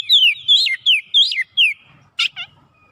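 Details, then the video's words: Oriental magpie-robin singing eagerly, as if searching for a rival: six loud, sweeping descending whistles, then a pause and a harsh double note. "SEKALI MENDENGAR KACER LANGSUNG ON GACOR MENCARI LAWAN"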